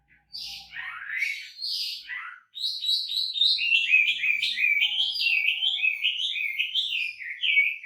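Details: Wambi singing vigorously with a rich, varied song: a few slurred, falling whistles, then a long, fast run of bright, repeated chattering notes that steps gradually downward, with no other sounds.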